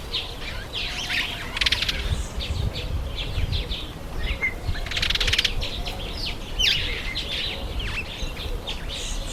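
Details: In breeding season, September and October, masked weavers give a steady chorus of sharp high chirps and swizzling notes, with two strong bursts of fluttering wings and a low rumble underneath.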